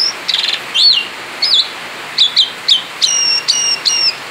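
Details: Asian pied starling male, out of its cage, delivering 'ngerol' continuous song: a quick rattle, then spaced, clear whistled notes with squeaky overtones, repeated roughly every half second toward the end.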